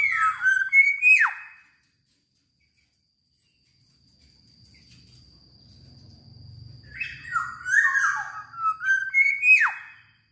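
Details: Lively black-naped oriole song: rippling whistled phrases with stepped rises and steep downward slurs open and close the stretch, separated by a quiet gap with low rumbling noise.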